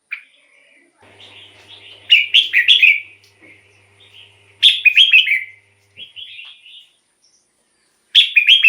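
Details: Red-whiskered bulbul delivering loud bubbling phrases every two to three seconds, with softer notes between and a faint low hum in the background; song used as a decoy or to excite caged birds.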